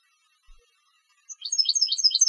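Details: Competition European goldfinch starting its song after near silence: a quick burst of high, liquid twittering notes that grows denser over the final second.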